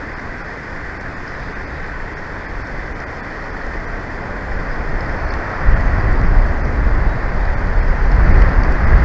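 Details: At Big Bear on 03/06/2024 around 11:41, a deep rumble of wind or vehicle noise grows louder toward the end, with no animal calls heard.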